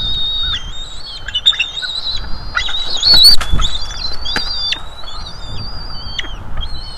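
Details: Young bald eagles at a North East Florida nest during food delivery give high, thin whistled squeals, wavering and overlapping, with brief clicks and rustles amid a low background rumble.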